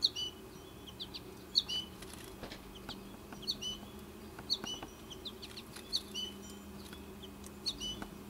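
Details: Young American goldfinches remaining in the nesting tree as the mother visits to feed; thin high chirps repeated about once a second, with faint rustling in the background.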